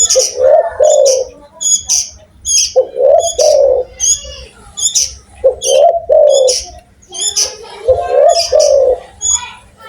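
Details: Spotted dove with a loud call: repeated low, mellow cooing phrases, each a short wavering coo rising then falling, given about every one to two seconds, with higher chirps of other small birds mixed in.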